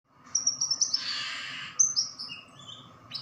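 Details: White-eye caught just two days earlier, already singing: thin, very high whistled notes in a quick series, a brief burst of hissing noise, then a few longer high slurred whistles over a steady low hum.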